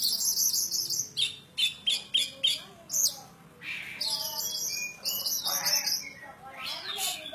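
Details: Persistent song of a kacer poci oriental magpie-robin from Java: rapid harsh buzzy notes repeated about twice a second, followed by a rich mix of whistles and rasping phrases.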